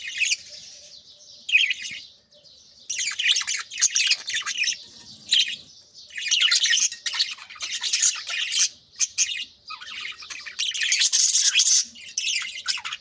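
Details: Early-morning aviary of pet budgerigars (Australian parakeets) with chicks being fed in nest pots; repeated loud bursts of busy, high twittering warble separated by brief lulls of softer chatter.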